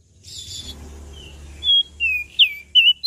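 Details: After a low rumbling background, a common tailorbird from Lombok gives four loud, piercing whistled notes, the last ones sliding downward.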